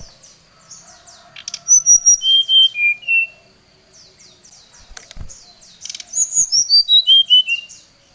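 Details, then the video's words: Oriental magpie-robin singing while challenging a rival: bursts of rapid, repeated high chirps alternate with clear whistled notes that step downward in pitch, two loud phrases separated by a quieter pause with faint background chatter. "srdc memanggil lawan"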